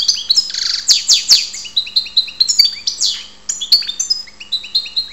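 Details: Energetic twittering from a European goldfinch, Ptolemaida, Greece, mixing a buzzy rattle, sharp clicks and repeated bright upslurred whistles in a steady, unbroken flow.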